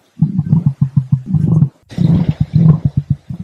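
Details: An emu drums with deep, hollow thumps, about five or six a second, in two bursts split by a short pause. No other sounds are heard.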